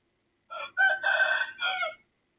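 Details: Rooster next door crowing at 3:35 am on 18 December 2024, loud and close: one short note, a pause, then a long powerful sustained phrase ending in a falling final syllable, with no other sounds.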